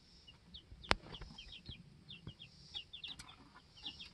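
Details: Young chicks, two weeks old, kept in a homestead chicken coop and settling pecking order; many thin, high peeps overlap in quick bursts, with a sharp click and scuffling sounds.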